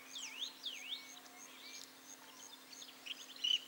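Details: Forest kingfisher, also called blue or Macleay's kingfisher, calling: sharp, high notes that sweep down and rise again in repeated rasping phrases, with scattered shorter chirps and a steady low hum underneath.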